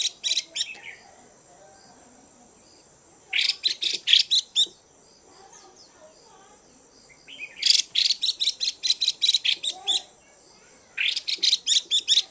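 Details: A female Chinese hwamei makes the chùi call to stir up males. Rough, scratchy chatter comes in bursts of about six to ten quick notes, with quiet gaps of two to three seconds between the bursts.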